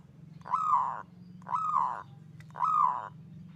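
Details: Zebra dove in kerot ngutut kowar style song, meant to train and lure zebra doves: three arched, rounded coos spaced about a second apart, with a steady low hum underneath.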